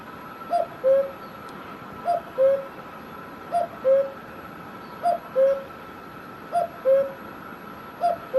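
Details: Cuckoo calling in Himachal Pradesh, India: a two-note cu-ckoo, the first note higher and shorter, the second lower and longer, repeated steadily about every one and a half seconds, five times, over a faint steady background hum.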